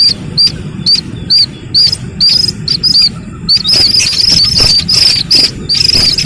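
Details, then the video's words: Slaty-legged crake chick giving high, thin squeaky peeps, each short note slightly inflected, repeated about twice a second and running closer together in the second half, over a soft low background rumble. "Suara anak Burung Sintar MP3 || Slaty-Legged crake"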